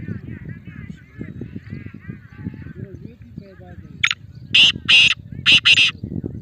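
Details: Male black francolin: quiet twittering and low murmur at first, then a loud harsh phrase of about five grating, buzzy notes near the end.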